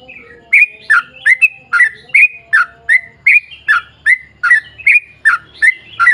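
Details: Sooty-headed bulbul singing in an energetic long rapid style, used to coax other bulbuls into song: ringing slurred chirps repeated steadily, roughly every third of a second, over soft background rumble.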